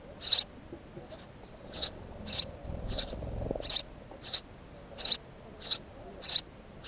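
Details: A house sparrow chirps eleven times, brief high notes repeated steadily, with a short low rumble passing midway through.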